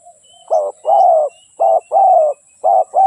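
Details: Spotted dove decoy bird, used to lure wild doves for trapping, giving loud, hoarse low coos in short and longer notes, grouped in pairs about once a second, with a faint steady high hiss behind.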